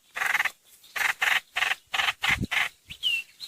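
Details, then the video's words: Streak-eared bulbul call for luring: evenly spaced harsh, chirpy notes in pairs and threes, ending with a thin descending whistle. "Tiếng chim trao trảo- hoành hoạch mồi mới 2022"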